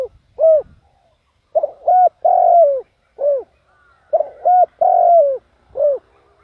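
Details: A decoy spotted dove calls to lure wild doves, repeating a phrase of a short coo, a paired note and a long falling croon, then a final short coo, several times in steady succession.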